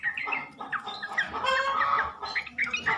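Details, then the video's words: Sooty-headed bulbul lure recording meant to draw males into answering: dense, overlapping bubbly chatter of short warbled notes, several voices at once, continuous for three seconds with brief louder bursts. "PANCINGAN SUARA BURUNG TRUCUK,jantan di jamin langsung nyaut"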